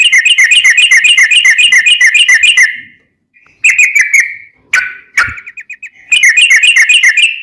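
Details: Sooty-headed bulbul delivering a long rapid-fire song for training caged birds: fast runs of bright, repeated whistled notes, broken by short gaps and a few harsher slurred calls, then another quick run.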